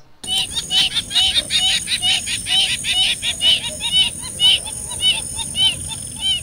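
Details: Wattled jacana in the Brazilian caatinga giving laughter-like calls: a fast run of harsh, chattering notes, about two per second, like scratchy laughter, over a steady high insect drone.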